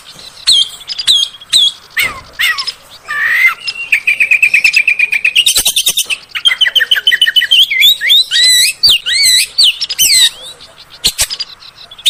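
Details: Oriental magpie-robin song used as a lure to get other magpie-robins singing: whistles and clicks lead into a long steady trill, then a rapid series of looping wavering whistled notes, ending with sharp clicks.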